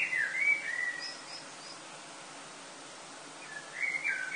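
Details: Blackbird dawn song recorded in Lille, France, on a summer morning in August before sunrise: a mellow warbled phrase ending in thin high notes, a long quiet gap, then another fluty phrase beginning, with background hiss.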